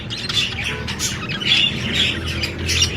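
Budgerigar chatter: busy, scratchy high chirps and squawks tumbling over one another without a steady rhythm, with a low hum underneath.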